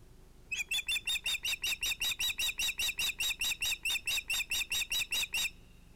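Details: Osprey at nest-cam nest around an evening fish delivered to female Alma at sunset, 11 August 2018: a steady run of about twenty sharp, high, whistled notes, roughly four a second, clear and evenly spaced, faint hiss.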